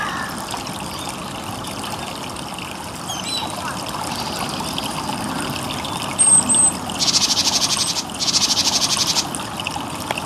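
Eurasian siskin: a thin high whistle, then two long, wheezy buzzes of about a second each, over a steady trickle of water.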